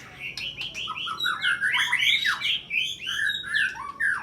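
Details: White-rumped shama singing in fighting style during a contest, pressing a rival in the 'nyujud' style with sharp 'tembakan' fills copied from small birds. Loud, varied whistles and slurred phrases, some sweeping up and down, delivered quickly without pause.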